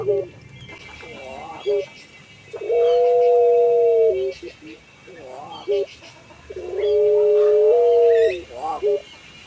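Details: Puter pelung collared dove, a kept ornamental bird noted for a long, melodious, flowing voice, nodding while calling: short wavering cooing notes alternating with two long steady drawn-out hums, with a faint high steady tone behind.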